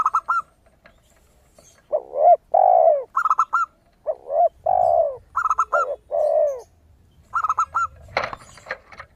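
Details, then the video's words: Zebra dove song with a crystal tone, played as a lure to make other doves sing: short rapid trills alternate with deep arched coos in clustered phrases, separated by quiet gaps, with a faint click near the end. "PERKUTUT GACOR suara kristal"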